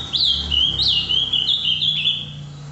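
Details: Ultramarine grosbeak in captivity delivering the Paraná vinte vinte song live, loud and slightly distorted: looping whistled notes sliding up and down, with a low droning hum underneath.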